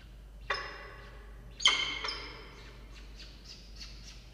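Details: Falcon on a nest camera on 6 October 2023 at 16:43, tending two chicks hatched days earlier, a third egg pipped: two strong rasping calls with an echoing tail, followed by a fainter run of short high notes.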